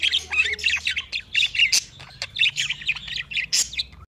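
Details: A singing budgerigar (Australian parakeet) warbles in a fast, continuous stream of scratchy chirps and squeaky clicks, high-pitched and chattering without pause.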